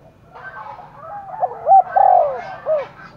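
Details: Spotted dove roused for a contest, cooing in the forests of Đồng Nai; short hoarse coos rise and fall, with several strong separate notes close together in the second half over a faint background hum.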